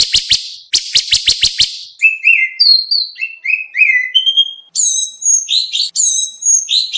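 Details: Kacer, the oriental magpie-robin, in a contest training song: a run of harsh rasping clicks, then varied whistled phrases with slurred notes and high sharp accents, delivered in rapid bursts.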